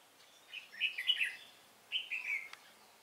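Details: Red-whiskered bulbul, a decoy bird used in trapping, singing to fight; two short bursts of bright, warbled whistled notes, the second beginning near two seconds, over quiet background hiss.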